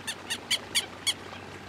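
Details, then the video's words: Five sharp, loud, nasal kek calls from a Southern lapwing (quero-quero), spaced about a quarter second apart, against a quiet background. "Quero Quero Cantando"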